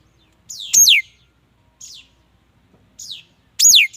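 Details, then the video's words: Mi dat bird singing bright, high whistled phrases that slide steeply downward, given in short bursts about a second apart, with louder phrases at the start and end. "Tiếng chim mi đất hót chuẩn"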